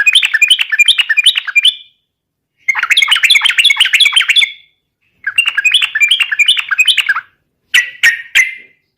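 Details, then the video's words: Lure song of a yellow-vented bulbul in full 'garuda' style, meant to make other bulbuls answer and sing. Three long bubbling, chattering phrases of quick rising-falling notes are separated by short pauses, and a briefer burst follows. "SUARA trucukan gacor garuda pancingan trucukan agar cepat gacor ropel garuda langsung nyaut"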